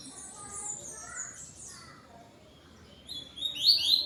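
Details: Yellow-billed double-collared seedeater (coleiro) singing at home at dusk, 17:31 on 12 November 2025, bright, high, rapid twittering "tui-tui" phrases swelling into sharp, loud notes; said to sing toward another bird.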